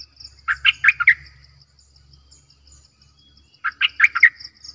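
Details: Decoy bulbul singing two bright, bubbling phrases of four or five warbled notes each, roughly three seconds apart. A low hum and high ticking continue underneath.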